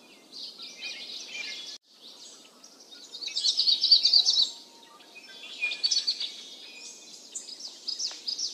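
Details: Yellow-eyed babbler at its nest while a parent feeds the chicks large caterpillars, filmed with a camera placed by the nest; dense, high, twittering chirps in bursts, loudest in the middle, with soft low rustling below.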